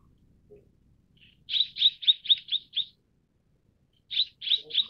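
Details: Mrs. Gould's sunbird, also called Tonghuafeng: a quick run of six sharp chirps around the upper-middle register, then three more after a pause, each note short and slightly downslurred.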